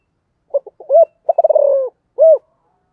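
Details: Spotted dove in calling and urging mode, cooing a low phrase: a few separate soft notes and a rising coo, then a fast stuttered series blending into a long falling note, closed by a single rounded coo.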